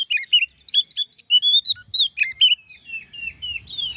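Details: Ngeplong song of an oriental magpie-robin (kacer), used to challenge other magpie-robins to sing: fast sequence of loud, clear whistles and chirps, some rising and some dropping, fading into softer drawn-out notes.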